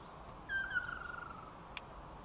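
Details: Male Ryukyu ruddy kingfisher holding a large earthworm in its bill and calling to the female: one loud whistled note that slides steadily downward and trails off into a soft fading trill, with quiet background.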